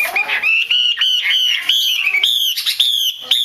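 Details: Female Chinese hwamei calling, a sound bird keepers use to stimulate males to sing; a continuous run of loud, clear, warbling whistles that rise and fall, with short breaks between phrases.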